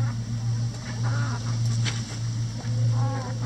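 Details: Brief murmuring clucks from chickens busy pecking a cabbage ball hung in their run as coop enrichment. Two short harmonic calls stand out against a constant low droning hum.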